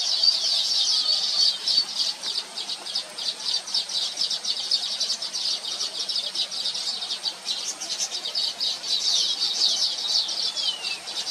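Baya weavers give a continuous high, wheezy chatter of overlapping chirps and buzzy notes, many birds calling at once without pause.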